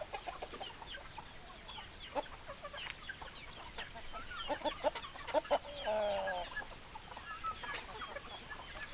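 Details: Hens and roosters clucking in a busy flock, with rapid irregular clucks about twice a second and a brief drawn, slightly falling call midway through, over constant low background noise.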